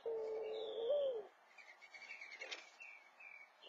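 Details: Mourning dove calling to its mate after building a nest: one long, low, hollow coo held steady, then a brief upward lift before it drops away. Higher chirps and twitters from other birds follow.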